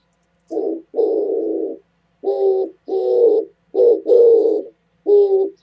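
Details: Oriental turtle dove calling on 27 January 2017: low, hoarse cooing notes grouped in short-then-long pairs, about seven notes in under six seconds, with brief silences between phrases and no other sounds.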